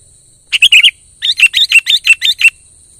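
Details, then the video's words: Energetic kutilang song: a short bubbling burst, a pause, then a longer run of rapid, liquid rising-and-falling notes. A constant thin high tone hums behind it. "suara burung KUTILANG GACOR pancing emosi kutilang pendiam"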